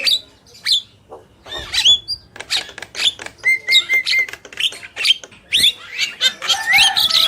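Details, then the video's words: A male and a female black-winged myna in chattering song: scratchy squawks, short whistled upslurs and a brief flat tone, in quick uneven bursts. "Jalak Kebo Gacor | Burung Jantan dan Betina"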